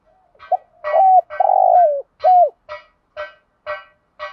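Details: Decoy spotted dove calling to excite other doves, thúc gù and gáy gọi styles: a short low coo phrase with a long falling middle note, followed by a series of brief nasal notes about every half second.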